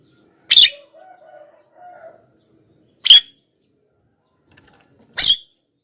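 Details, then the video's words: Javan myna luring calls for wild mynas: three harsh, raspy chack notes at irregular intervals, with a soft low murmuring sound after the first. "suara BURUNG JALAK KEBO,gacor menggelegar,semua jalak kebo auto nyahut"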